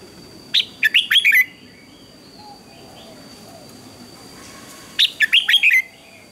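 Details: Red-whiskered bulbul in morning contest singing meant to excite other birds: two quick whistled phrases about four seconds apart, each a tight run of warbling, downslurred notes, over low background noise and a faint steady tone.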